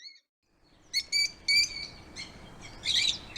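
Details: Lovebirds give the chirps they make when playing, eating or excited: clear, ringing high notes repeated in short pairs after a moment of silence, then a rougher, buzzier chirp at the end.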